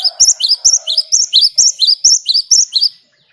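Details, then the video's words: Vigorous gacor song of a Great tit, used to lure other birds into singing: a dense run of about fourteen high, ringing two-note chirps, with a faint lower tone at the start. "Ngalas Ngerol Burung Gelatik Batu Gacor buat Pancingan"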